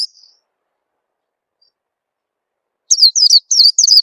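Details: Oriental white-eye lure call for prompting young captive birds to sing soon. Near-silence gives way at the end to four quick pairs of high, thin, down-slurred chirps.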